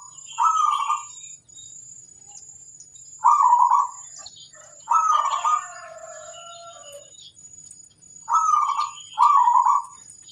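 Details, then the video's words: Local zebra dove used as a master singer, performing energetically: rolling, purring coo phrases in short bursts, roughly five across ten seconds, with quiet gaps between, over a faint steady high whine. "Suara sang masteran burung kutut lokal manggung gacorrr"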